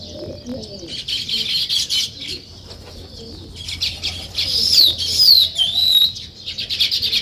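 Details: Village sparrows at their nest-building weaver colony in the morning, a busy high chatter of many birds with sweeping whistled notes rising and falling in the second half and low cooing early on.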